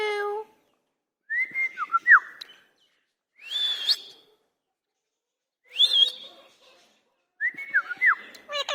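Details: Angry talking Indian ringneck parakeet repeats a similar whistled phrase four times with pauses of one to two seconds, each a flat note breaking into a quick downward slur, with faint rustling between.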